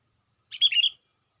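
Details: One quick bubbly, warbling chirp phrase from a sooty-headed bulbul used as a lure for wild birds, clear and loud in silence.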